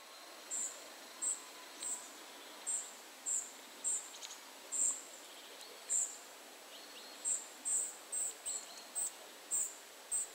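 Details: A tree pipit, recorded at 51.943564, 20.122272, gives short, very high, thin call notes, repeated irregularly about twice a second over a steady background hiss.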